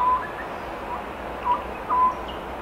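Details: Oriental scops owl calling in spring, a call read as foretelling the year's harvest: a few faint, short hooting notes spaced over two seconds above a steady background hiss.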